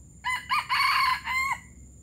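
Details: Palembang junglefowl giving one crow, gerabas style: two quick staccato notes, a longer strident grating note, then a steady final note cut off sharply, about one and a quarter seconds overall.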